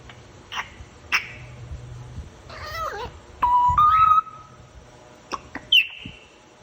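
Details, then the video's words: {'caption': 'Pet African grey parrot making cute sounds indoors: a mix of sharp clicks, a warbling wavering squawk, a flat mid-pitched whistle rising slightly, and a final high rising squeak, irregularly spaced.'} "African grey parrot making cute sounds"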